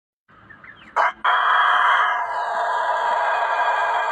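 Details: Chicken crowing: a short broken opening, then a loud, long, harsh sustained note holding steady for about three seconds, with faint hiss in the background.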